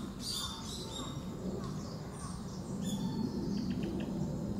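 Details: Female Narcissus flycatcher giving its call notes: short, thin high chirps and brief soft notes scattered through the clip, over a steady low rumbling background.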